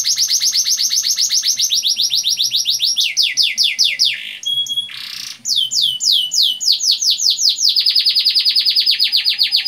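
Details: Long, loud canary song meant as a lure for young canaries, with extended rolls: rapid pulsed trills, bursts of fast downslurred notes, a brief buzzy break midway, then another sustained quick trill.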